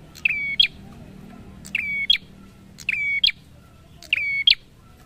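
A prinia repeats a bright phrase about every 1.2 seconds: a sharp note, a level high buzzy whistle, then a quick upslurred chip. The background is quiet.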